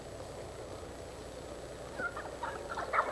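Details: Wild turkeys in Stephens State Forest, south-central Iowa, gobble in a rapid, gurgling, rattling burst during the last second, after a quiet stretch of steady background hiss.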